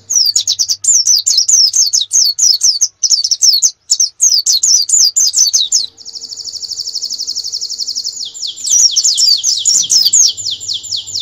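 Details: Canary song used as a master for competition birds: rapid repeated chirping phrases with brief pauses, then a long even buzzy trill of about two seconds, followed by a lower, faster rolling trill.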